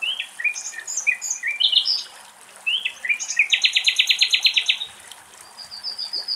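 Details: Common nightingale singing deep in a Greek forest: short varied whistled phrases, then a fast, loud rattling series of repeated notes, ending on a thin high whistle; little else is heard.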